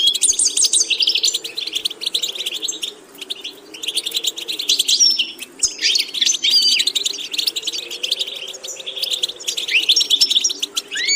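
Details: European goldfinch delivering a varied song for vocal training: bursts of rapid high twitters and buzzy trills separated by short pauses, ending with rising slurred notes, with a low steady hum throughout.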